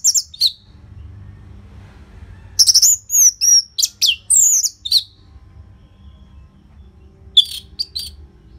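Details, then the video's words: Orange-headed thrush song for coaxing caged birds to sing: a few opening notes, a dense two-second run of high twisting whistles, then scattered sharp chips after a pause. "Pancingan & Masteran ANIS MERAH Gacor Jeda Rapet Suara Keras || Burung Macet Pasti Ikutan Bunyi."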